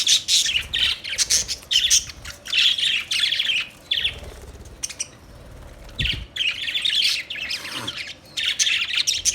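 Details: Budgerigars chattering in dense bursts of rapid, high, scratchy warbling chirps, a quiet pause around five seconds with a soft thump, then the busy chirping chatter resumes to the end.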